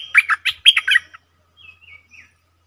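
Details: Caged stripe-throated bulbul on 7 June 2021 giving a loud, bubbly run of warbled notes, followed by a few faint, thin whistled tails.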